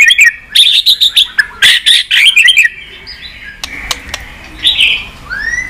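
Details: White-rumped shama song used for stimulating and training birds. A fast, loud burst of bright chirping whistles fills the first half, then softer drawn-out whistles and a final upward-curving note.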